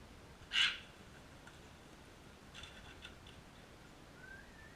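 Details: A crimson rosella at a backyard bird feeder in Canberra, Australia, gives one loud, harsh, scratchy screech, then a few faint clicks and a soft rising whistle near the end, over a quiet background hiss.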